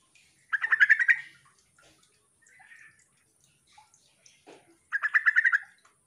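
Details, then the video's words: Sooty-headed bulbul lure call, used to coax reluctant birds into answering and singing. Two bursts of rapid, bubbly chattering notes, each lasting about three quarters of a second and four seconds apart, with faint clicks and soft knocks in between. "trucuk memanggil teman"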